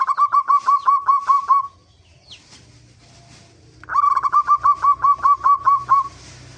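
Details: Zebra dove song for luring birds into singing: two series of fast, slightly rising rolling notes separated by a quiet gap with a faint high squeak and low background hum.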